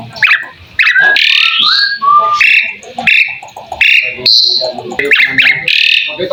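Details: Asian pied starling (jalak suren) singing a varied master song: clipped whistles, downward slurs, gurgling chatter and a high sustained note, phrases following one another rapidly with brief breaks.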